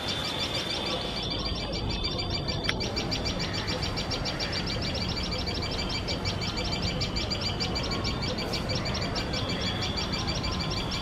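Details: Nesting tailorbird pair making loud, shrill alarm notes at a male cat close by: a long run of quick, high, clipped chips at a steady pace, with a click and constant low noise underneath.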